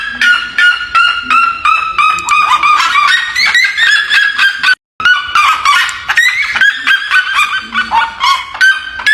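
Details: Red-legged seriema singing in the countryside on a farm, a loud rapid run of ringing yelping notes, about two and a half per second, with pitch stepping up and down through the phrase. After a brief gap near the middle, it carries on in the same way.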